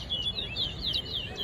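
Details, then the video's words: Towa towa singing in a bird singing competition in Guyana: fast sweeping whistled notes rising and falling, slurred together in a lively warble, while a person counts the notes aloud in the background. "Clash Of The Champion Towa Towa Bird Singing Competition"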